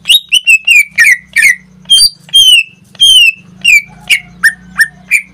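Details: Pet greater green leafbird singing almost daily, here a lively series of about fifteen loud whistled notes, many sliding downward, some with a harsh edge, delivered in quick bursts over a steady low hum.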